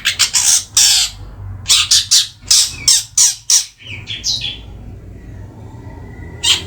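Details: Caged three-month-old Madura long-tailed shrike chattering loudly: coarse rasping notes in uneven bursts, a few twangy sliding whistles, then quiet with a faint humming background.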